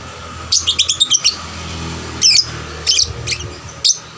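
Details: Eager young lovebird singing to spur other lovebirds; a fast cluster of thin high chirps followed by spaced single rasping notes.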